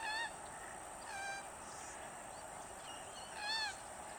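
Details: A Limpkin in Florida's freshwater wetlands gives three loud, ringing, slightly falling wails, spaced about a second or two apart, over a steady high insect hiss.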